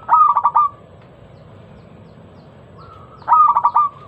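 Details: Zebra dove song used as a lure for local perkutut: two loud phrases about three seconds apart, each a rapid run of stuttering coos that trails into a sustained note, with quiet background between.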